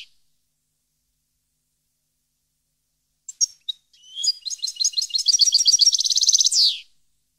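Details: European goldfinch singing, 2015 recording: scattered high chirps lead into a fast, accelerating twittering trill of many tinkling notes that ends in a drawn-out buzzy note, with nothing else heard.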